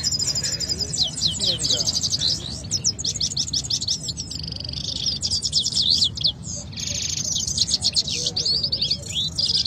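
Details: Two canaries in a singing contest in Quetta sing at once in rapid, high, rolling trills and chirps that run almost without pause, with faint voices murmuring underneath.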